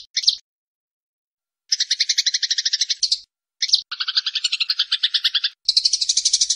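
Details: Eurasian tree sparrows fighting: dense, fast buzzy chatter trains of rapid pulses lasting one to two seconds, separated by short gaps and a brief harsh note, with no other sounds.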